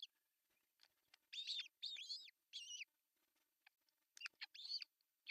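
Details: Osprey at a nest in Pohjois Satakunta, Finland, June 2024, as the male delivers breakfast fish; clusters of shrill, downslurred chirps come in two groups with faint ticking between.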